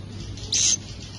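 A swiftlet chick gives one short, very high, hissing buzz lasting about a quarter second over a faint steady background hiss.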